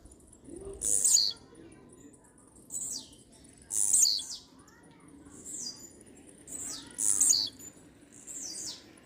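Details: A blue-black grassquit sings firmly, repeating a brief, very high buzzy note that drops in pitch about every one and a half seconds, six phrases in all with louder and softer ones alternating, over faint low background noise.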